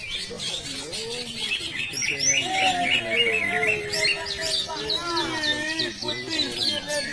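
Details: Greater green leafbird at a practice songbird contest, plain class, South Aceh, Indonesia, giving quick, varied high chirps and bright whistled phrases in fast succession, with lower sliding notes beneath and men's voices chatting in the background.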